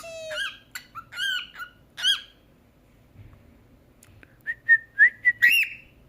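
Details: Pet cockatiel taught indoors to talk and sing: harsh, buzzy squawk-like notes open the sequence. After a quiet stretch comes a quick run of clear rising whistles.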